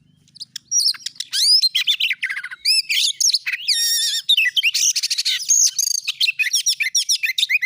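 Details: Oriental magpie-robin song used as a lure to make a kept bird sing readily: loud, varied high phrases of rising and falling whistles, sweeping slurs and quick rattling note bursts, given almost without pause.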